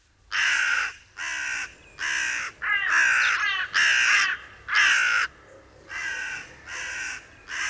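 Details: Harsh grating caws from hooded crows in a meadow, one digging into an acorn while another looks on; about nine rasping calls in a steady series, a few rougher and more broken in the middle.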